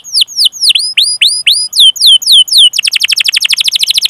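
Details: Canary in full chirping song used as stimulus for young or silent canaries: rising-and-falling sweeping whistles, then a rapid, rolling trill of short repeated notes.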